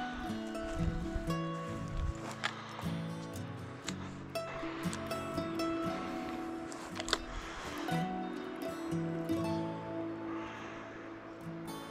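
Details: Steady instrumental music with sustained tones plays throughout, with no animal voices heard.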